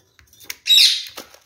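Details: Caged kakariki parakeet pair exploring a freshly added nest. A short, loud, high-pitched chattering squawk lasting about half a second follows a few faint ticks and rustles, then quiet scratching.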